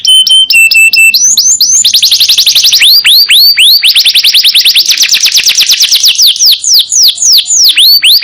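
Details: Yellow canary singing nonstop as a tutor recording for songbirds: opening high flat whistles, then a long, fast-rolling trill of sliding notes, broken by occasional louder looping whistles.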